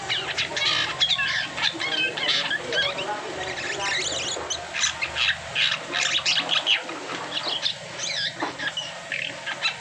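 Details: Asian pied starling after moulting giving a dense, harsh run of squawks and scratchy high chatter, loud bursts coming several per second with little regular rhythm, over a low steady hum.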